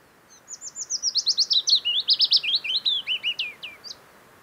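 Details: Wild Willow Warbler singing in early summer, late June to early July, near Hallingskarvet mountain range, Geilo area, Buskerud, Norway; a sweet descending cascade of about twenty quick whistled notes over three and a half seconds, ending in a flourish, over steady background hiss.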